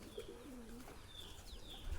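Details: Low pigeon coos with a drawn-out, gently sliding hum early on, then quieter coos, while sharp high chirps from other birds sound above and a steady hiss fills the background.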